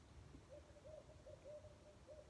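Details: A Barred Owl gives its mating call outdoors, a quick run of low, mellow hoots in the familiar 'who cooks for you' rhythm over a steady low rumble.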